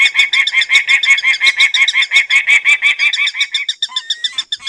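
A Peregrine Falcon gives a harsh, ringing series of kak notes, about three per second, steady at first and then breaking up into scattered notes.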